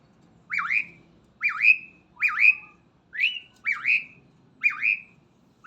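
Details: Starling singing in the morning: a looping whistled phrase that dips and then rises steeply, repeated about every second, over a low rumbling background.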